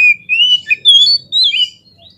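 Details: Oriental magpie-robin lure song for provoking fighting birds: a few long drawn whistles, rising and wavering, in short phrases over a faint low hum.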